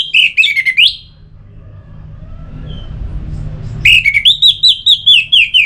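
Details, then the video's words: Orange-headed thrush, kept bird in Singaraja, North Bali, a recording for stimulating singing; a brief whistled phrase, a pause, then a longer run of rhythmic clear whistles, each slightly falling. "Suara Ini Bisa Membangkitkan Burung ANIS MERAH agar Jadi Gacor"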